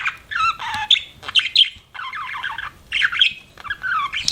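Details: Chirping pet budgerigar, quick varied warble of squeaky chirps, short whistles and gravelly chatter in rapid bursts, continuous with only brief breaks.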